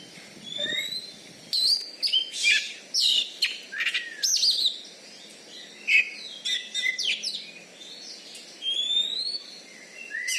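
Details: Caged champion Oriental magpie-robin in Bengkulu, Indonesia, prized for loud volume and a rival-subduing fighting style; dense burst of varied chirps, trills and sharp whistles in quick clusters.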